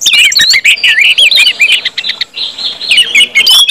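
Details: Orange-headed thrushes from a compilation of ngeplong singing, meant to get other birds singing quickly: dense, rapid, high twisting whistles and chattering phrases, tightly packed with few pauses.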